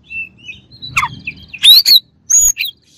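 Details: Kacer, the white-rumped shama, delivering clipped high whistles and sharp chirps with short pauses, one rising slurred note, over faint low background noise.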